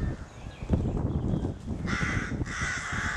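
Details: Rookery crows in May 2018, excited around the nest; after a stretch of rumbling noise and a knock, two loud, grating caws come close together near the end.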